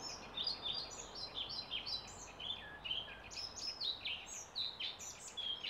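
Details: European pied flycatcher singing near Pilisszentlászló: high, varied whistled notes that slide up and down and come in quick clusters, repeated through the recording over a soft background hiss.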